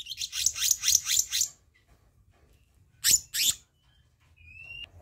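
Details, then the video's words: A run of six quick, raspy notes from a black-naped monarch, a tutoring and lure recording, then silence, two loud sharp bursts and a thin, rising whistle. "Masteran/Pancingan Kehicap Ranting Bahan Dijamin Langsung Nyaut"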